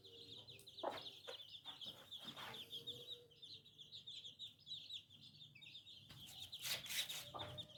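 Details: Little chicks cheeping in a continuous stream of high, thin peeps, many overlapping, with occasional soft thumps and scuffling nearby.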